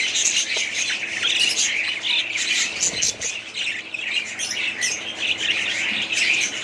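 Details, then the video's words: Flock of budgies chattering loudly, a constant mix of scratchy squawks, quick chirps and thin whistles with hardly a gap. "budgies parrot sound"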